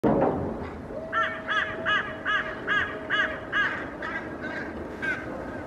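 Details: Hooded crows mobbing a common raven carrying pigeon remains in a Helsinki park, Finland, 8 May 2024: a rapid series of about eight harsh, hoarse caws at roughly three per second, with a steady low tone and distant city hum beneath.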